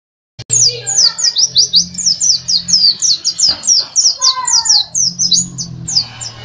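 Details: National champion Bali dakun white-eye in contest form delivers a rapid, unbroken string of high, sweet, slurred chirps, each note dipping and rising, with a steady low hum beneath and a few softer lower whistles.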